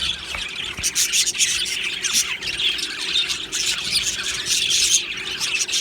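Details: Happy Australian budgie colony in an aviary: a noisy flock chorus of harsh squawks and chirps, with a few downward-sliding notes breaking through the steady chatter.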